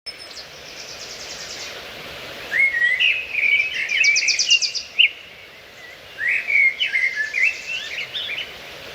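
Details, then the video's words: A bird singing among trees and plants: bright, high chirping phrases of quick rising and falling notes in two bursts, over a steady background hiss of environmental noise. "bird's sound"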